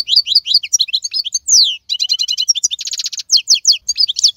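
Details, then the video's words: Wild European goldfinch, called maqnin, in the 2022 season. It sings a fast, unbroken stream of liquid twitters and tinkling notes, with a downward-sliding whistle and a rapid buzzy rattle in the middle. "اقوى مقنين خلوي - هذا الحسون الاقوى في 2022"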